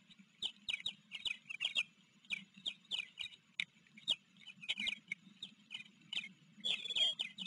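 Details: Osprey at a Blackwater River nest in Maryland, afternoon of July 28, 2022, as a recently fledged chick from a neighbouring nest stayed on the nest. Irregular high squeaky chirps are scattered throughout, sometimes in short bursts.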